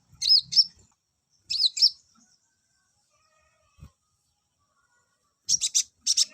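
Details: High buzzy twisting phrases of olive-backed sunbird song, used to bring males into breeding condition, in short paired bursts separated by long pauses, ending with harsher clustered notes.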